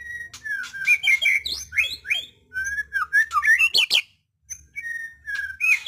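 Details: White-rumped shama singing: rich, varied whistled phrases that slide up and down, mixed with sharp clicks and rapid chattering notes, a brief silent pause, then more fluty rising whistles.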